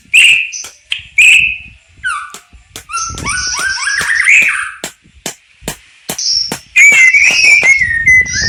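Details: White-rumped shama song with unique fill-in phrases: loud, varied whistled phrases, some sliding and warbling, broken by sharp clicking notes and short pauses.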